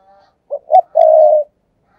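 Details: A spotted dove used as a decoy for wild birds calls in the 'thúc gù' manner, three-part: two short clipped notes leading into a long, steady, low coo, recorded close with a silent background.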